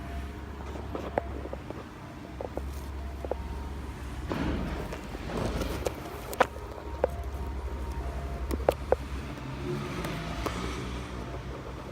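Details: A low rumble of a car or engine runs throughout, with scattered clicks and knocks and no animal voice.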